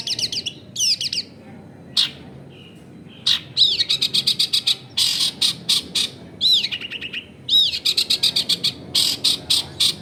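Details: Long-tailed shrike singing at home in a crowded neighbourhood, used to prompt quiet shrikes to sing: loud, varied mimicking song of arched whistles, dense bursts of harsh clicks, and looping notes repeated in quick runs.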